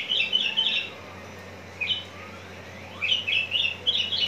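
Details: Javan bush lark readied for songbird contests, Cikupa, Tangerang: a quick cluster of high twittering notes, a lone chirp after a pause, then a longer run of bright chattering phrases over a low background hum.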